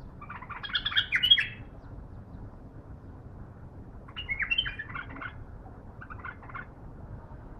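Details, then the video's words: Bulbul kept in a cage and still in training, answering a wild bulbul with brief bursts of bubbling, chattering notes spaced a few seconds apart, with low background hum. "بلابل علاوي من قلب الحدث شوف البلبل البري"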